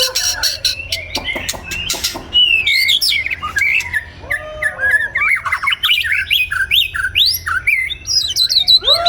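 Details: White-rumped shama singing in the morning: a burst of sharp ticking clicks, then a fast run of varied whistled phrases, upslurred and downslurred notes tumbling together with little pause between them.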